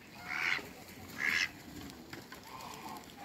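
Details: Mallard and Pekin ducks, two pairs kept in a backyard run; two loud, harsh, nasal quacks come about a second apart, followed by a softer, fainter call and quiet background.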